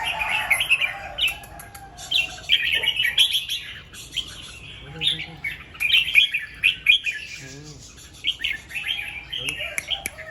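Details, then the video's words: Red-whiskered bulbul morning song, double 2-3 and rik: runs of sweet warbled phrases with pauses, plus a few quick sharp ticks and a short lower trill near the middle. "เสียงนกกรงหัวจุก ร้องเบิ้ล2-3 ร้องริก"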